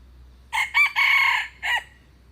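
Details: A red junglefowl gives a full four-part crow: two short clipped notes, then a long, strained, sustained note, then a separate falling final note after a brief pause. The harsh, ringing tone stands out against a quiet low hum.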